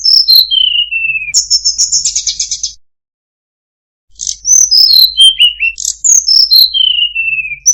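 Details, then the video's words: Tledekan gunung in melodious song with fine phrasing, pouring out high whistled notes that glide downward step by step, a brief warbled trill, a pause of over a second, then another falling run of pure whistles. "suara burung tledekan gunung, sangat merdu cengkok bagus"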